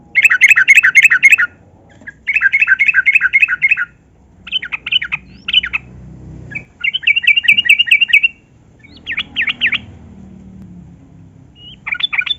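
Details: Yellow-vented bulbul (trucukan) in loud, energetic long-phrased song, played to coax lazy captive bulbuls into singing: bubbly, rapid warbled phrases about one to two seconds long, separated by short pauses, with a faint low rumble beneath.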